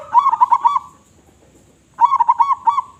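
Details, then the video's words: Local zebra dove, a loud active caller, delivers two matching phrases about two seconds apart, each a burst of stuttered notes flowing into a rich, rolling, warbled coo, in quiet surroundings. "Perkutut Lokal Gacor Suara Besar"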